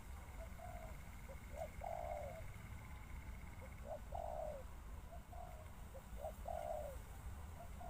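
A spotted dove gives soft, low cooing phrases of a few notes, repeated about every two to three seconds, over a steady low rumble of background noise.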